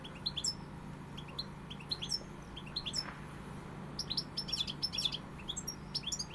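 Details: European goldfinch delivering pegada-style song, a lively run of sharp high chirps and liquid twitters bunched into quick phrases, strongest toward the end, with a constant low background drone.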